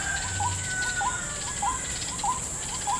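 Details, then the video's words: Ruak-ruak, or white-breasted waterhen, lured at a trap in a snakefruit garden. Brief upward-curving calls come in a quick, somewhat uneven run over a constant shrill insect background and a low hum. "mikat ruak ruak di kebun salak (jerat burung ruak ruak pikat)"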